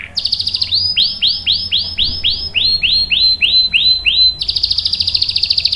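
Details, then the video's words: Canary singing for use in tutoring young birds: a quick high trill, then about ten loud arched swooping whistles, slightly lower midway, closing with a rapid high roll. "KENARI GACOR NGEROL panjang bagus untuk PANCINGAN dan MASTERAN paud | CANARY SINGING"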